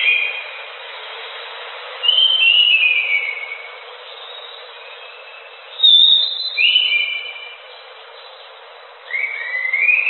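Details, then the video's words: Anis macan (orange-headed thrush) in full song: three bursts of clear whistled phrases with drawn-out falling slurs and a thin high note, separated by quiet gaps of a few seconds. "Suara Burung Anis Macan Gacor"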